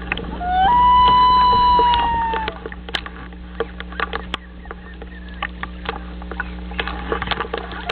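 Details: Loon calling on returning to the nest, 9 June 2011: one long steady mournful wail held about a second and a half, then fading; afterwards low steady hum and scattered clicks.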